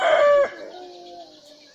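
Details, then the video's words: Rooster crowing, a loud harmonic call held strongly for about half a second and then trailing off in a fading, drawn-out tail, with nothing else clear underneath. "Murga ki awaz-rooster crowing"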